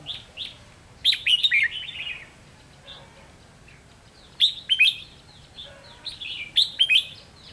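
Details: Decoy red-whiskered bulbul used in trapping, 7 November 2016, singing repeated short phrases of lively slurred whistles and chirps, three main bursts about three seconds apart with brief single notes between them.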